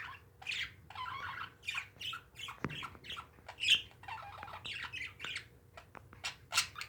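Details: Pet parakeets kept at home chatter steadily with short, scratchy squawks and chirps, in bursts about every half second. A low steady hum runs beneath the calls.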